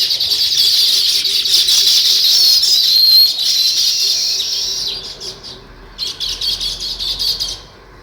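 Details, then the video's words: Weaver birds, also called sparrows, chirping naturally: a loud, continuous high chatter for about five seconds, then a pause and a burst of quick repeated chirps before it fades. "Natural Sparrow Chirping Sounds |Weaver Birds"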